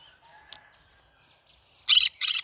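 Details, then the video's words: Faint chattering from a cinnamon green-cheeked conure, then two rough, loud squawks in quick succession at the end. "I like Green cheek conure : Chinnamon conure singing to day so funny."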